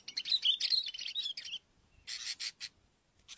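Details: Lure call of a Sooty-headed bulbul: a tangle of sharp whistled notes mixed with grating chatter, a short pause, then several loud rasping bursts.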